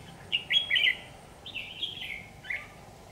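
A red-whiskered bulbul gives two short, bright, chirpy warbled phrases about a second apart, mid-high and slightly falling, over faint background hiss.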